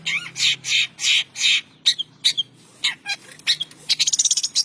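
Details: Long-tailed shrike singing in the morning: harsh, scratchy broadband bursts, several long rasping notes, then shorter irregular chatters ending in a fast run of clipped notes.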